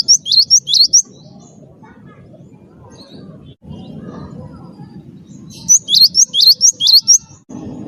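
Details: Wingko-type cinereous tit in full song, used to coax other birds into singing. Rapid series of sharp rising whistles open the recording, then a pause, then a longer run of six bright upslurred notes, with low rumbling noise throughout.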